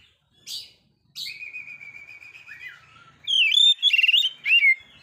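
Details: An Oriental magpie-robin singing to provoke a rival: short sharp notes, then a long level whistle and a lower slurred phrase, ending in loud, rapid, ringing warbled notes.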